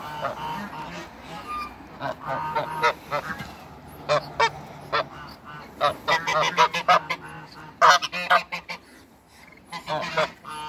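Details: A pair of Toulouse geese on a waterbird farm, calling as they meet: loud, harsh, nasal honks in rapid bursts, some clustered and overlapping, with short pauses between volleys and a low background hum.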